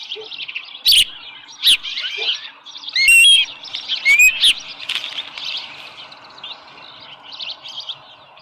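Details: On the nest with a small live fish, 13 July 2018 at 7:10 AM, an osprey gives high chirps plus a few clear rising whistles near the middle, then the chatter fades into a quieter background.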